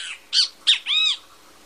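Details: ['Great kiskadee giving two short, rasping notes followed by one longer, arched nasal call.']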